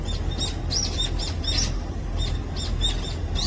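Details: Brown-eared bulbuls, resident in Korea, at their morning meal, giving quick high upward-arched chirps in loose bursts, some doubled, against a constant low-pitched background hum.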